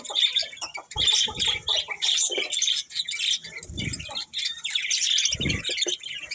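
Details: Steady budgerigar chirping: bright, closely packed twitters and short whistled notes, broken by a few dull low thuds.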